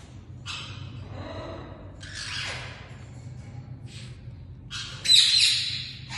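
Triton cockatoos give three harsh, raspy screeches, each lasting about a second, with brief pauses between. A low hum from an indoor room runs underneath.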